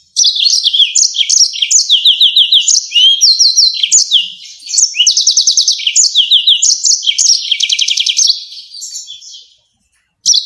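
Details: Nonstop loud song of a yellow-fronted canary, fast repeated high notes, buzzy rattles and downslurred whistles in quick succession for about nine seconds before a short silence, used to train songbirds.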